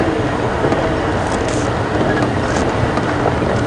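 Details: Heavy engine drone and wind buffeting from a game drive vehicle in the afternoon, without any animal calls.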